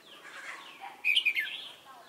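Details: Decoy red-whiskered bulbul at a Chùa Hương trapping site, recorded 28 November 2017. Soft gliding whistles give way to a loud, bright, quick burst of chirpy notes midway, then fade.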